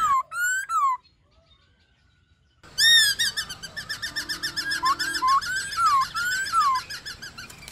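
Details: Laughingthrush singing a varied, many-voiced wild-style song used to stimulate and train young birds: loud slurred whistles rising and falling around mid pitch with bright overtones, a short burst, nearly two seconds of silence, then rapid repeated whistled phrases.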